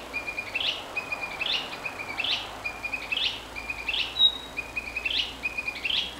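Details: Narcissus flycatcher in Tokushima Prefecture, Japan, repeating a brief whistled phrase of a low note and a higher rising note roughly every 0.8 seconds, somewhat faint against background hiss.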